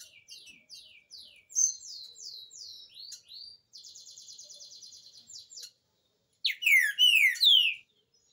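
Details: Song of a green-winged saltator, meant for young birds to learn: quick repeated downslurred notes, then a long buzzy rattle-like trill, a brief silence, and a closing run of loud falling whistles.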